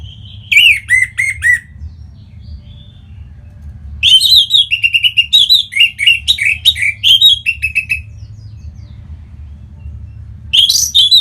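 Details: Orange-headed thrush song offered to encourage other birds to sing: an opening cascade of notes, a four-second rapid, varied run of warbled and whistled phrases, and a fresh burst at the close.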